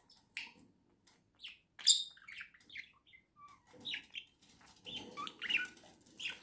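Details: Caged pair of pet budgerigars, November 2024, in a rapid, scratchy warble of chirps, clicks and whistled squeaks, with a soft background hiss rising during the second half.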